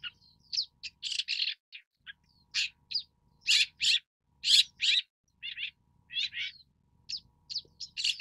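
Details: Harsh, rasping bursts from a long-tailed shrike (Lanius schach), mixed with thin squeaks and wavering chirps in an uneven, busy stream, with brief gaps between clusters.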